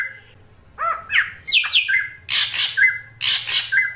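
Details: Ashy drongo singing: a few downslurred whistled notes, then a run of harsh grating squawks interspersed with short level whistles, delivered in quick succession.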